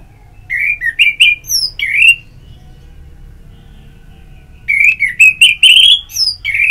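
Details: Orange-headed thrush singing in the ngeplong style for song-stimulating therapy: two phrases of rising, warbled whistles and quick high chirps, split by a silent gap of about two seconds.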